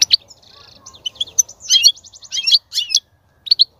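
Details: A European goldfinch sings to stimulate a female to mate and breed, giving a buzzy nasal trill followed by a jumble of sharp tinkling chirps and twittered notes.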